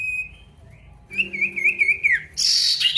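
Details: Male pied bush chat in full song, calling an opponent: a thin steady whistle, then a wavering trilled whistle for about a second, ending in a sudden harsh rasping burst.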